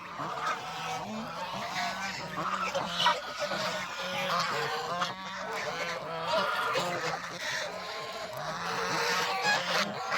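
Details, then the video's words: Farm geese on a countryside farm, let out of their pen to feed on fresh greens and play in water. They give repeated nasal honks that overlap steadily throughout, with a constant low hum in the background. "Happy Geese Farm Day 🪿🌿 | Geese Leaving the Pen, Enjoying Fresh Greens & Playing in the Water"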